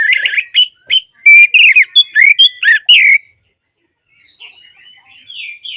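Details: Orange-headed thrush song, used as playback to coax silent birds into singing: a loud burst of rapid, varied whistled and slurred notes for about three seconds, then quieter scattered high phrases.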